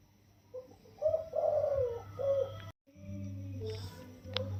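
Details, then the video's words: Soft-voiced spotted dove, caged 16 days after being taken from the wild, delivers a single-kuk throw crow: brief low notes, a drawn-out coo and a short final coo, then rumbling handling noise. "คลิปเสียงนกป่า อายุกรง 16วัน มาให้ชม ขันโยนกุกเดียวเต็ม เสียงเพราะ เสียงนุ่ม"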